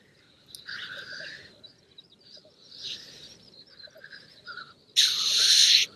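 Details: Black grouse males on a moorland lek before dawn, challenging for territory and for the attention of females, give harsh, hissing sneeze-like calls in about three bursts, the last loudest, over a faint low bubbling murmur.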